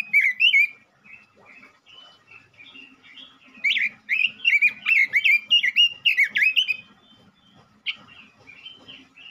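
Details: ['Energetic male robin singing as a lure for other robins: varied, warbling whistled notes with rapid up-and-down slurs, delivered in dense bursts with brief pauses between them.']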